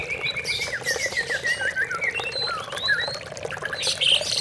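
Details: Oriental magpie-robin in natural surroundings, offered as therapy for stressed birds that stop singing: a varied run of whistled notes and slurred rising and falling phrases, mixed with chirps from other birds and a background hum.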